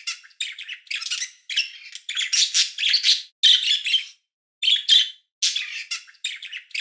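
A chickadee gives harsh, buzzy, high-pitched notes in quick bursts of two or three, with short pauses between the runs; no other sounds intrude.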